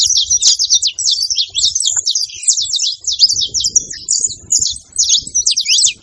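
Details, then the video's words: Bright, high chirping from saffron finches, a busy run of short, sharp notes with quick downward sweeps repeating without pause, over faint low background noise. "canário da terra fazendo barulho"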